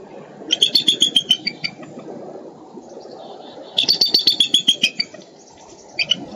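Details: Eagles in Minnesota on 13 April 2013 give two bursts of rapid, high, thin piping notes, about ten chattering notes each, with a brief third burst, over a low rumble of wind or background noise.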